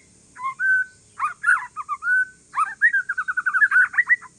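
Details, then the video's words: White-rumped shama from Aceh forest lineage giving calm song to provoke answering shamas: a held whistle, buzzy slurred notes, then a fast rippling trill of repeated rising notes. "Kicauan santai murai trah hutan aceh BUAT MURAI LAIN NYAUT"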